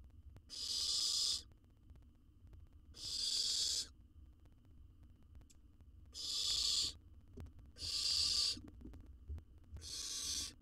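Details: Wild baby owl, nest box studied by researchers in Israel, being fed and swallowing a jird whole; five harsh, breathy screeches, each close to a second long, in an uneven series with faint scratchy noises between.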